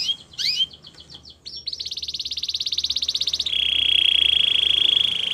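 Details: Canary song for training other canaries: a few quick whistled sweeps, then a long buzzy pulsed trill that shifts into a steady, drawn-out rolling tone.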